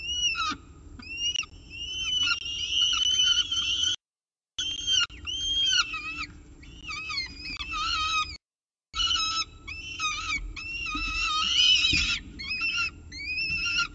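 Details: Peregrine falcon with pigeon prey at the CSU Orange nest on the morning of 24 October 2018; rapid series of short, sharply curved chipping notes, clustered and insistent, broken by two brief silences.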